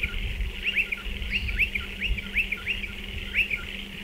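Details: Striated pardalotes near their nest burrows in a dry stone wall. High upslurred notes come in a steady series, some doubled, about every third of a second, over soft low rumble and hum.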